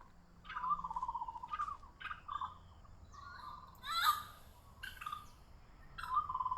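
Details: Orange-footed Scrubfowl calling around Cairns, Queensland, Australia, near a pond: loud, hoarse, fowl-like crowing calls in a string of drawn-out bursts, with a few harsher rasping notes mixed in.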